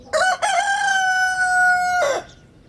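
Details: Rooster crowing: two short rising opening notes, then one long, loud, level held note lasting nearly two seconds that drops away sharply at the end, over a quiet background.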